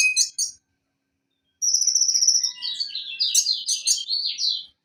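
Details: Van Hasselt's sunbird, used as tutor song to make a silent konin sing again: a short burst of sharp notes, a silence, then a buzzy trill running into a rapid jumble of high twittering slurs.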